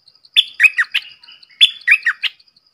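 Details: Close Red-whiskered bulbul giving two loud, rollicking phrases of quick whistled and chirped notes, each phrase about half a second long, with faint high ticking behind.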